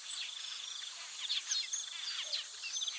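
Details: Taveta golden weaver: dense, overlapping chatter of many birds, with rapid buzzy and chirping notes and short downward sweeps. A steady high insect-like whine runs underneath throughout.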